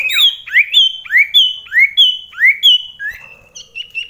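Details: Common iora (sirtu) in a close-range home contest with another bird, rainy period: paired notes repeated about every half second, a high level whistle followed by a low rising swoop, ending with softer short chips.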